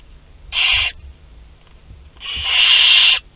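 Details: Nestling barn owls aged two to twelve days eating together at Théding, France, on 29 April 2021; a short hissing screech followed by a longer, louder drawn-out rasping screech.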